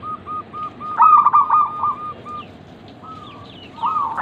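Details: Local zebra dove used as a lure to prompt other doves to coo: a string of short, rapid, rolling coo notes at a steady mid pitch, then a pause and a few more coos, with faint higher chirps from other birds.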